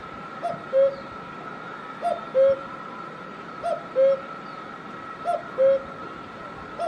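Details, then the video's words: In Himachal Pradesh, India, a cuckoo repeats its two-note falling "cuck-oo" about every one and a half seconds over a steady high hum. "Cuckoo Bird Sound"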